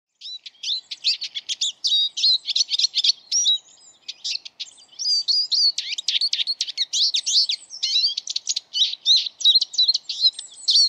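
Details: Eurasian siskin (Carduelis spinus) singing a fast, continuous high twittering of buzzy trills and chirps, with short wheezy slurred notes mixed in. The phrases run almost without pause for about eleven seconds against a quiet background.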